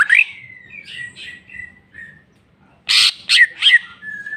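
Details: Greater green leafbird in full song, showing off its varied filler repertoire: a rising whistled slur, soft warbled notes, a pause, then loud harsh bursts and quick twisting whistles.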